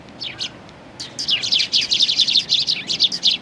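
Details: Sparrows coming to be fed at a Tenmangu shrine on 1 October 2020, a few sparse high chirps giving way to a dense, rapid run of overlapping bright chirps from several birds.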